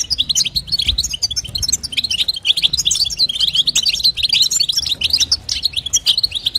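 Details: Calling female goldfinch, used to stimulate a male bird, pours out a continuous rapid twitter of high, tinkling notes with barely any pause, over a low hum.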